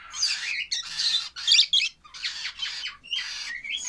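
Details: Baby lovebirds calling in loud, hoarse, buzzy bursts, each roughly half a second long, following one another with short gaps.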